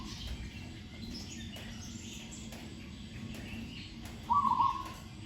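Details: Caged Zebra dove in training, a lone bird left hanging in trees, with a sweet voice and good phrasing: one brief rolling coo phrase near the end after quiet with distant chirping birds.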